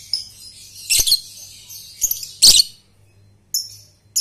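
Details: A lovebird gives a few loud harsh chirp bursts and a thin trailing twitter, then pauses before two short high whistled notes, from a lure recording of a young bird learning ngekek; a low hum continues.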